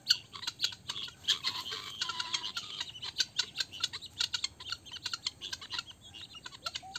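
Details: Helmeted guineafowl sounding the alarm at a snake give harsh, grating rattles of rapid staccato clicks, several birds overlapping in a continuous, agitated chatter.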